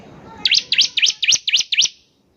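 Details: Bar-winged prinia singing as a lure to set other birds off: a crisp run of six sharp, high, down-up swooping chips, evenly spaced over about one and a half seconds, then quiet.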